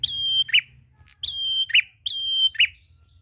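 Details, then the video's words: Prinia song used to coax other birds to sing: three evenly spaced phrases, each a long steady high whistle ending in a short buzzy drop, over a faint low rumble. "Prenjak gacor ngalun ampuh pancing bunyi burung ngetem"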